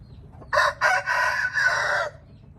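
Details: Indian red junglefowl letting out a single hoarse crow in four run-together parts, the last one drawn out. Background is quiet.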